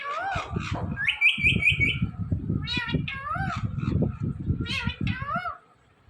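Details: Pet Indian ringneck parrot, one of two talking parrots, repeating short human words and a meow imitation in bright, nasal bursts with bending pitch, over steady low rumbling background noise.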